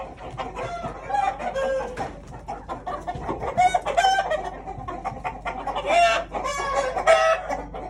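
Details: Upset domestic chickens, perhaps set off by a sneeze, cluck loudly in quick uneven bursts, with harsh squawks rising in pitch that swell louder toward the end, over a low steady background hum.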